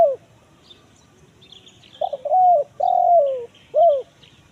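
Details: Spotted dove lure for forest wild birds, kuk 1 mersik type: a falling coo trail, a pause with faint chirps, then stuttered notes, a rolling coo, a long downward coo and a short final coo.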